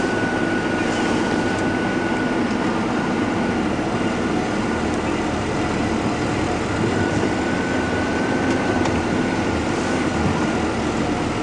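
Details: Steady vehicle engine rumble with broadband road noise and a faint constant tone, no animal voices heard.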